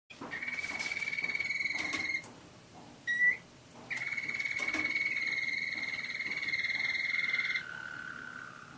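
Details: Roller canary song: long, even rolling trills held for two to four seconds with brief breaks, ending on a lower, softer roll.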